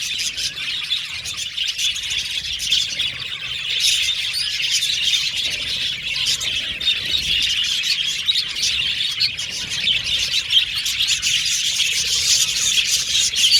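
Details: A group of Australian budgies singing and chattering in a steady high-pitched stream of tweets and squawky notes that grows slightly louder toward the end.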